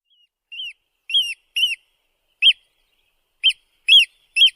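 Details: Eurasian oystercatcher calling: loud, piercing, shrill notes with an arched, down-slurred shape, given singly or in quick pairs at uneven intervals; clean background with no other sounds.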